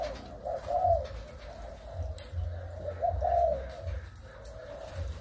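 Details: Breeding spotted doves of Malaysian and Thai lines, 23 August 2021: two fainter, drawn-out cooing phrases spaced a couple of seconds apart, partly masked by a steady low hum and light clicks.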